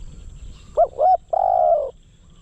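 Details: Spotted dove kept as a decoy to lure wild doves. It gives a single phrase of two short, rounded coos followed by a long, sustained, slightly rough croo.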